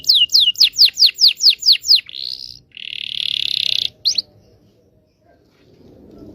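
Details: Canary long song played to train young canaries: eight quick downward-sweeping whistles, a buzzy roll, a longer grinding trill and one sharp note, then near silence.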